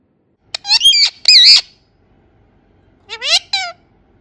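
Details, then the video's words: Indian ringneck parakeet, a pet, making natural sounds: harsh, buzzy squawks in two bursts, then a short pause and two more rising, grating calls. "Indian ringneck parrot talking and making natural sounds"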